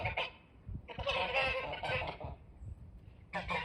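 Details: Snow geese calling near a front porch: overlapping, harsh, nasal honks in dense bursts from several birds, with short quieter gaps between the volleys of noise.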